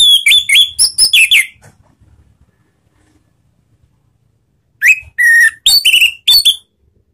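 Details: Anis merah, the orange-headed thrush, in a ngeplong-style lure song meant to get other thrushes singing: a fast run of whistles and chips, a long silence, then a clear falling whistle, a flat whistle and quick slurred notes.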